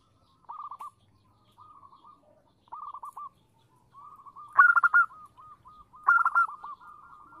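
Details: Zebra dove female calling a male. Clear bubbly cooing phrases of rapid rolling notes come in spaced bursts, softer between them, with two louder, slightly higher phrases near the end against a quiet background.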